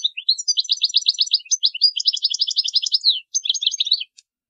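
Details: Goldfinch pouring out an unbroken song meant to train young birds: rapid trills, buzzy repeated notes and bright tumbling chirps run together for four seconds before a short final phrase; nothing else audible.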